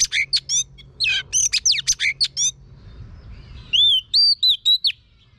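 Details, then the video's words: Female Oriental magpie-robin used to coach a male into singing: fast bursts of buzzy, sweeping chirps and trills, a short gap, then a series of four or five clear arched whistles. "chòe than mái HUÝT KÈM THÚC TRỐNG.chòe than mái kích trống căng lửa.chim chích chòe than mái hót"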